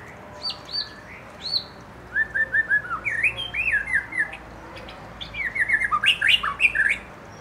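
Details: Young white-rumped shama and fledgling, wild-caught, provoked to sing: scattered high whistles building into rapid strings of slurred descending notes and bright chips, ending in a dense energetic burst.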